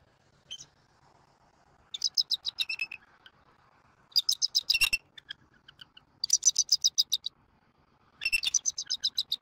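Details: Bald eagles at a southwest Florida nest, an eaglet snuggling under its parent, January 2024: bursts of rapid high chirps repeated in quick series, separated by short pauses.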